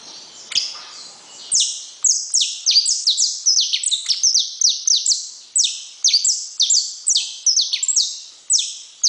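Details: After a quiet opening with two soft knocks, a saffron finch launches into a long series of shrill, falling notes, delivered in tight rapid clusters that keep a lively, even rhythm.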